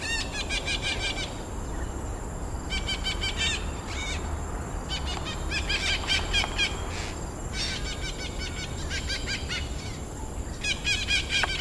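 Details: Red-breasted parakeets in a densely forested woodland patch at Pasir Ris Greenbelt, Singapore, give bouts of harsh, rapid, high-pitched squawks, each burst lasting about a second, over a steady low roar of background noise.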